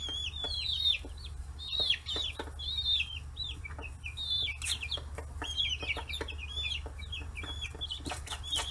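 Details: Free-range 40-day-old chicks crowding around fish heads on a small farm in Kitahiroshima, Hiroshima, Japan; many high peeps and chirps, often downslurred, overlapping steadily, with soft pecking taps and a low hum underneath.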